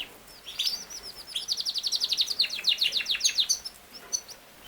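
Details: Yorkshire canary, a large breed also called king size canary, singing thin, high, rapid trills of short downward-slurred notes in loose bursts, with faint background hiss between phrases.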